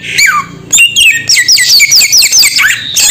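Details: Samyong bird producing bright, squeaky squawks and high, twisting notes in a fast, steady stream, with a falling call opening and closing the burst.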